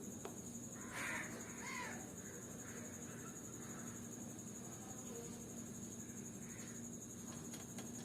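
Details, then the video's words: Green Fischer lovebird gives two harsh, shrill squawks close together near the start, then fainter scratchy chirps over a steady high hiss and low hum. "Lovebird Singing & Chirping Sounds"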